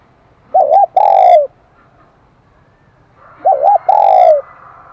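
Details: Spotted dove, wild-caught, singing in the bright 'kim đồng' voice. Two phrases each open with a rapid paired coo and end in a long, full, gently descending note. A low hum rises behind the second phrase.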